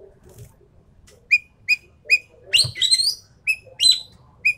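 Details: Endemic Sumatran treepie in tutor and lure audio: short clear notes repeated roughly every half second, broken by a loud burst of harsh, grating chatter, then more of the short repeated notes.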